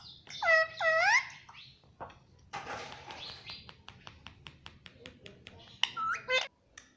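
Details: Pet Indian ringneck parakeet gives two loud arched chirps. A rapid series of dry ticking clicks follows, then a short harsh squawk at the end.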